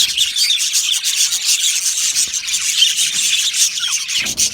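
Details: Australian budgerigar colony in an aviary, many birds chirping at once in a dense, continuous high warbling chatter with scratchy rasping notes and no pauses.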